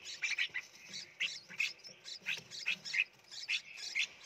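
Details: Several red-whiskered bulbul chicks begging during hand-feeding in a nursery box in Phetchaburi, Thailand, giving dense, overlapping high chirps and squeaks, four or five per second at times.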